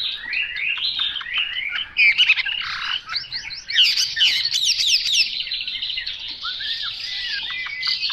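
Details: Chinese hwamei pouring out loud, varied song: rapid slurred whistles and harsh chattering notes, a brief mimicking-style sharp sequence, then softer down-slurred whistles repeated near the end.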